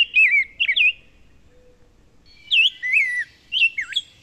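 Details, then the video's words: Rose-breasted Grosbeak singing sweet, rich, robin-like warbled phrases in two bursts about a second and a half apart; its song is often confused with an American Robin's, even by longtime birders. "That rose-breasted grosbeak can often be confused with a robin."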